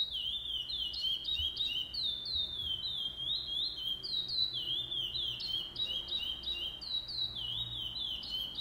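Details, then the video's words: Chestnut-bellied seed finch (curió pardo) singing at a tournament stage on 8 November 2020: a fast run of clear whistled notes, each stepping or sliding up and down in pitch, linked into a continuous high melodic phrase. "Torneio de Curió Pardo"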